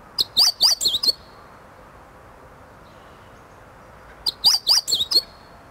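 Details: Young Meadow bunting rehearsing song close by, unafraid, in March 2011, changing from call notes to true song; two matching phrases of five or six high, twisting chirped notes, about three seconds apart.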